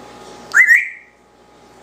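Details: Pet one-year-old Congo African grey parrot indoors, known for mimicking speech, gives a single short whistle that rises, holds, then slides down in under a second; a person speaks just before and after.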